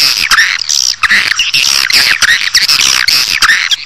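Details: Swiftlet lure calls meant to draw a colony into a building: loud, nearly continuous high twittering with rapid rising and falling chirps and scratchy notes, barely pausing.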